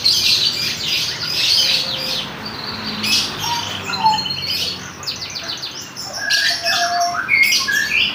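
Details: Juvenile canary learning to sing: bursts of high twittering trills separated by brief pauses, a few soft whistled notes in between, and a loud closing flurry of chirps.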